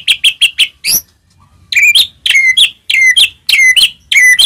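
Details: White-rumped shama song used to provoke other shamas into singing: four sharp clipped notes, a pause, then loud descending whistled phrases with bright overtones repeated roughly every half second.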